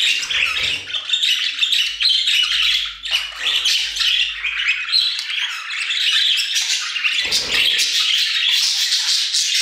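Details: Loud, unbroken budgerigar chatter in an aviary, many squawky chirps, clicks and squeaky whistles tumbling together at a fast pace.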